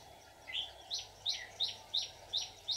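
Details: Red-whiskered bulbul decoy used to trap wild birds, 24 July 2019. Short, sharp whistled notes, each falling steeply, repeated roughly every third of a second after an opening slurred phrase.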